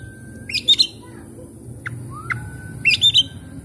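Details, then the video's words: Oriental magpie-robin lure song meant to start stressed, silent birds singing: two short bursts of sharp, chattering notes, a few lone upslurred chips between them, and a constant faint hum and high whine. "cukup skali pancing kacer macet stres malas bunyi langsung gacor"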